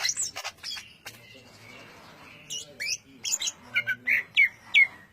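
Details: Greater green leafbird in ngentrok style: scattered high chirps and a faint drawn-out tone, then loud, evenly spaced whistled notes repeated about three per second.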